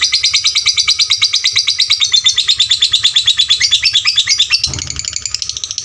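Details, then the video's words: Lovebird song used to train fighter lovebirds: a long, loud, rapid chattering run of harsh buzzy notes, about three per second, steady and high-pitched, then shifting into softer, thinner twittering near the end. "pancingan LB FIGHTER volume suara kerasnya paling gesit ciptakan lovebird fighter juara"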